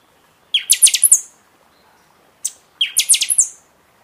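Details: Song of a buffy-fronted seedeater, played to rouse caged birds after their moult: two fast phrases of five or six piercing high notes, split by a single sharp chip.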